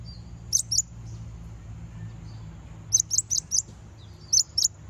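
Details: Lure song of a konin, meant to provoke other konin and set them singing, with sharp high-pitched chirps in pairs, then a quick run of four, then another pair, all against a quiet, low background hum.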